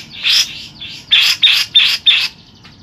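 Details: Local grey-cheeked bulbul giving a long rolling burst song: five bright, slurred chirping phrases in quick succession, each rich and bubbly, with short pauses between them.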